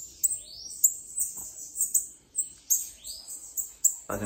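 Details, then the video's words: Sibite singing while loose, a run of high thin notes with rising and falling sweeps repeated about twice a second, soft talking in the background. "Sibite - VEJA O QUE ESSE SIBITE FEZ SOLTO"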